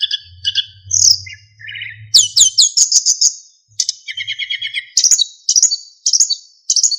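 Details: Golden flycatcher, a kept Indonesian songbird, in full clear song meant for tutoring other birds: varied high whistles, buzzy rapid trills and repeated bright phrases, with a faint low hum early on.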